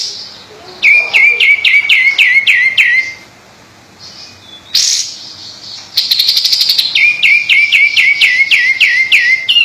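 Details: Sooty-headed bulbul in lively song, giving fast runs of repeated falling whistled notes, about six to eight per run, with a brief high buzzy burst between the two runs.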